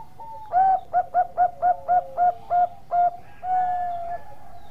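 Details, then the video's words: Bangkok-type zebra dove in full, energetic song, meant as a tutor recording for other birds: a soft opening coo, then about nine clipped, evenly spaced coo notes at a quick pace, closing with a longer, level drawn-out coo. "Perkutut Bangkok Gacor"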